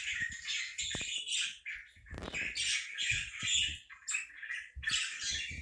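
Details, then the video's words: Parakeet giving a busy stream of chirps and grating squawks, high and fast, with a brief rustling burst partway through. "4 minutes of parakeet sounds"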